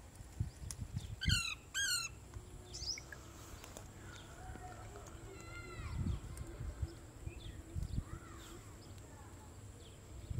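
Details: Parrots at play: two quick bursts of harsh, rapidly rippling squawks near the start, then scattered slurred, bending call notes, over low rumbling background noise.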